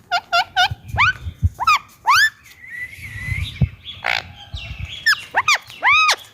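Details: Pet Indian ringneck parakeet using its natural voice: loud, harsh arched squawks, some in quick doubled and tripled bursts, others drawn out, with soft thumps and handling noises between calls.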